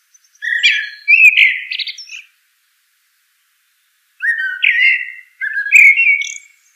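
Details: Common blackbird giving fluted, warbling phrases mixed with higher chattering squeaks, then a long silence before two more mellow phrases.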